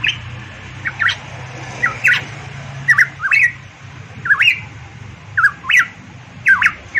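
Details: Active song of a variable pitohui from Papua: a steady series of bright, curling whistled notes, often paired, repeated about every three quarters of a second, with crisp clicks and a low hum.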